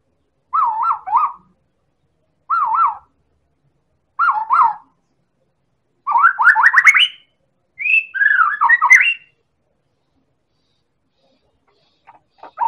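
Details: White-rumped shama of the Medan type, sung as a lure to provoke other birds: three short warbled whistles spaced about two seconds apart, then two longer bursts of rising, jumbled notes, on a quiet background.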